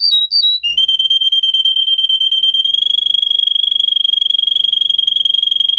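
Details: Russian singer canary, bred for a song of many high variations, recorded for training canaries: two brief whistled notes, then a long, even, rapidly pulsed trill at one high pitch.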